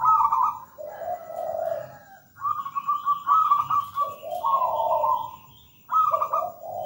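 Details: Zebra dove, local, singing continuously: high trills alternate with lower rolling coos, while faint high chirps from another bird sound in the middle.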